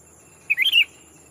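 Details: A decoy sooty-headed bulbul calling a rival: one quick, rich, warbled phrase of four liquid notes rising then dropping, against a quiet background with a faint high steady tone.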